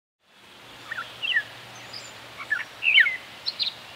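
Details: Gray Catbird quiet song, a subdued song of short, varied squeaky and warbled phrases given with the beak closed or slightly open. It is used in courtship, near the nest and in fall and winter, in dense thickets. Faint hiss.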